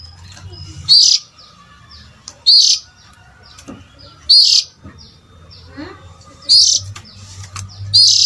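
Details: Oriental magpie-robin call used to lure adult birds: five loud harsh rasps with rising whistled starts at irregular intervals, faint thin chirps from other birds between them and a low background hum.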